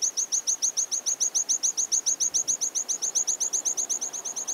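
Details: Water pipit in spring plumage delivering a fast, even trill of bright, high, slurred notes, about seven per second, sustained throughout against a quiet background.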